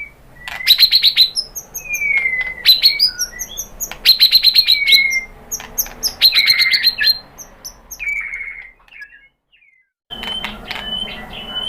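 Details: Lure song of a white-rumped shama, used to prompt other birds to reply: high rapid trills alternate with long sliding whistles, a busy sequence that fades and pauses briefly before resuming.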